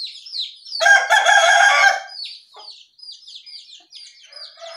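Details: Morning calls of small songbirds, named as jongkangan, terucukan and pleci: quick, high chirps and slurred twitters, several a second, with a rooster crowing loudly over them partway through.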